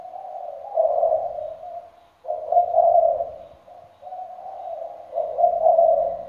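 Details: Spotted dove used as a decoy bird, said to coo all day and night with a full repertoire: low hoarse cooing phrases, each a throaty blurred coo lasting over a second, repeated in three bouts with short gaps.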